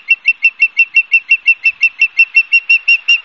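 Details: Osprey calling at its nest, Barnegat Light, New Jersey, 12 September 2022, 16:34, live camera; a steady, rapid string of shrill whistled yelps, nearly three per second, evenly spaced throughout.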